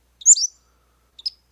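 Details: Pacific-slope Flycatcher song, playback: one sharp high slurred phrase with several quick parts, followed after about a second by a brief, fainter high two-note reply, very high pitched against silence.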